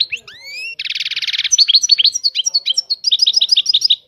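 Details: A European goldfinch sings: two rising whistled slurs, a dense buzzy trill, then a rapid run of tinkling, twittering notes repeated several times a second, clear and close with no other sounds.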